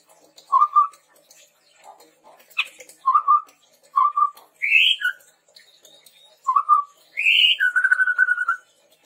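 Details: Active chestnut-rumped babbler song used as a lure: paired low whistles repeated about every two seconds, occasional rising upslurs, and a final sustained low trill.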